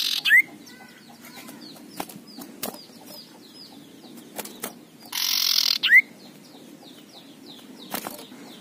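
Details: Fierce male common iora: sharp rising whistles near the start and at about six seconds, with a single harsh rasping burst just before the second. Light repeated chirps and clicks run throughout.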